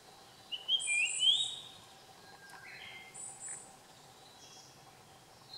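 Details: Japanese grosbeak recorded 30 June 2015: a brief whistled phrase with sliding notes early on, then softer scattered whistles and a high thin note, over a quiet hum.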